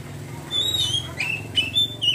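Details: Oriental magpie-robin in ngeriwik song: a long high whistle, then short rising and falling whistled notes after a pause, over a constant low hum.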